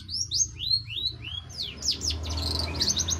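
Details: Long-tailed shrike singing energetically: a series of clear upward-swept whistles, then a dense, jumbled burst of scratchy chatter, with noticeable low rumbling noise underneath.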